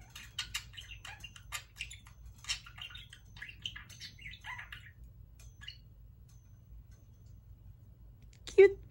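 A parakeet chatters in quick, scratchy bursts of chirps and squeaky speech-like notes for about five seconds. Then a pause, a low hum, and a loud clatter.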